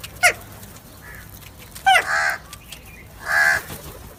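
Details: Crow giving harsh, raspy caws: a short one near the start, then two longer, louder caws spaced about a second and a half apart, over a quiet background.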